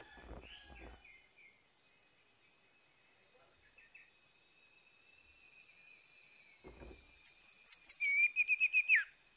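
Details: Morning song of an orange-headed thrush, used to coax a bird that has stopped singing: quiet faint whistles and a few knocks at first, then a loud, fast run of repeated trilled notes near the end.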